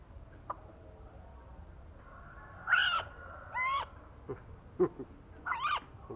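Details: A captive Green-billed Malkoha, hand-raised from a nestling and kept for months, is let out to sunbathe and seems timid; it gives three short, nasal, wavering calls about a second apart, with sharp clicks and a steady high hiss.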